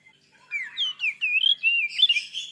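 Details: A white-rumped shama sings to provoke other shamas: quick sliding whistles climbing and falling, ending in a busier, higher-pitched jumble.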